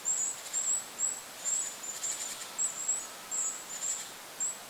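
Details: A Goldcrest in forest over a lake gives very high, thin, needle-like call notes, about two a second in uneven bursts, over a soft hiss of wind.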